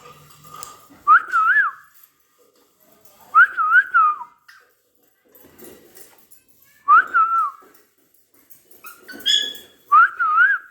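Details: Pet talking parrot giving four bright whistled phrases, each a quick rising-falling trill with a wavering tone, spaced about three seconds apart, with soft household noise between and a short higher squeal near the end.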